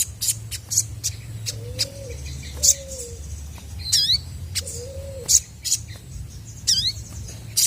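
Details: Chestnut-backed scimitar babbler song meant to draw answers from other birds: three soft, low, arched whistles spaced apart, interrupted by sharp, sweeping high chirps and clicks from another bird.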